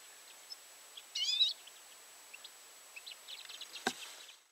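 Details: Common redpoll calling: one short, wavering, high chirp, then scattered soft, brief call notes against a quiet background, with a sharp click near the end.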